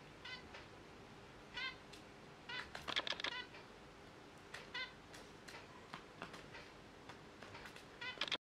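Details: Zebra finches kept at home in open cages, giving short nasal honking calls with stacked harmonics in bursts every second or so, louder clusters around the middle, over a steady low indoor hum.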